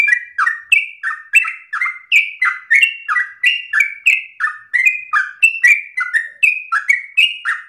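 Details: A yellow-vented bulbul sings loudly with long breath, a song offered as a model for copying; steady chain of clear, falling whistled notes about three per second, pitch swapping high and low.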